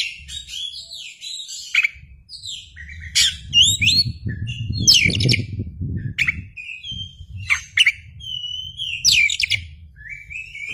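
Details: White-rumped shama (kacer) singing with spread tail: busy sequences of chips, buzzy trills and looping whistles, with a low rumbling noise in the middle.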